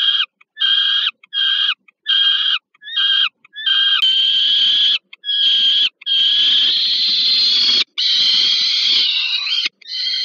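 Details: Peregrine falcons at the Żerań thermal power plant nest in Warsaw, Poland, on 15 August 2022, as a young bird receives food. Clipped, evenly spaced harmonic calls give way to loud, sustained, grating wails over faint rustling.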